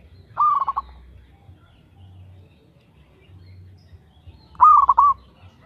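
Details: Two clean cooing phrases from a local zebra dove, or perkutut, each a hooked opening note and quick pulses, separated by about four seconds of near silence.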